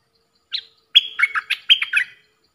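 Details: Lure recording of a stripe-throated bulbul for trapping, 10 October 2021: one lone chirp, a pause, then a rapid tumbling sequence of bright, bubbly warbled notes lasting over a second, in clean silence.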